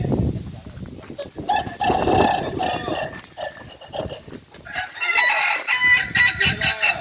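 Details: Kukuak Balenggek chickens training together at Ampang Kualo in Solok: two bursts of crowing with broken, rippling segments, interrupted by loud low thuds, rustling and clatter throughout.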